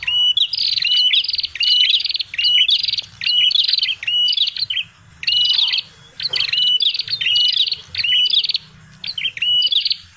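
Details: A red-headed prinia gives loud, high chattering bursts of rapid notes, each under a second, with brief pauses between them. The bursts repeat steadily over a quiet background, used as a lure call for visiting prinias.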